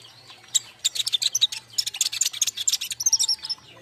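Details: King konin song meant as lure and master sound for young birds, a rapid run of high chirps and trills, choppy and continuous, ending in a brief repeated twitter, over a faint low hum.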